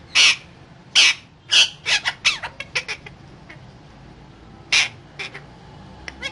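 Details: Parrot giving three loud harsh squawks about half a second apart, followed by quicker softer chatter, a pause, then another squawk and a few faint clicks.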